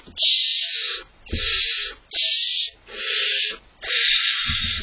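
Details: Young barn owl owlets inside a nest box, waiting for their parents to bring prey, give loud hissing, rasping snores, each about three-quarters of a second long, repeated roughly every second with soft thumps between.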